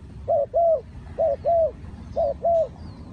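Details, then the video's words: Spotted dove cooing in paired phrases, a short low coo followed by a longer slurred coo, the pair repeated three times at a steady pace over faint background hiss. "The Sound Of Spotted Dove"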